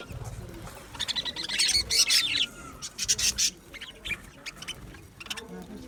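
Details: Budgerigars in an aviary, chirping: bursts of high, rapid, overlapping chirps and chatter, busiest in the middle seconds, then sparser scattered tweets against a low background hum.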